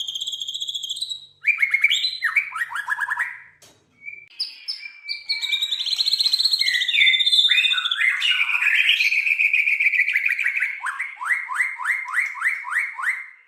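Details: White-rumped shama, a kept songbird in Indonesia, delivering a loud continuous song: piercing high whistles, descending slurred series, buzzy warbles and a closing run of evenly repeated sharp chirps, about four per second.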